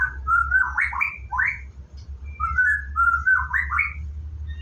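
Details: Morning bathing routine of a white-rumped shama: flowing whistled phrases with level glides and tumbling rising-falling notes, repeated in two similar sequences, over a low background hum.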